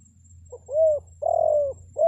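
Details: Spotted dove call played as a decoy for wild birds: brief soft note, then a smooth rounded coo, a longer sustained coo, and the start of a third, over a quiet low hum.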